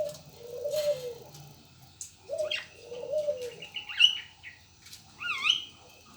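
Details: Local turtle dove (burung puter) delivering a few low, arched coos with gaps between them, while scattered high chirps and twitters from other birds follow.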